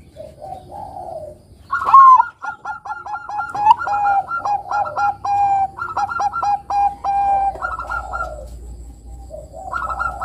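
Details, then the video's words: Bangkok-type zebra dove, an active performing singer whose song serves to coax young doves to sing: mellow coos, then a rapid run of clipped, stuttering notes jumping between two pitches, ending in softer coos. "Pancingan Suara Perkutut Bangkok Kutut Bangkok Gacor Manggung Bagus Buat Mancing Kutut Remaja Bunyi"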